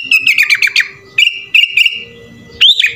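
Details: Sooty-headed bulbul delivering 'full isian' song. A fast run of sharp, clipped notes leads into a sustained warbled whistle, then a final rising, slurred note after a short pause.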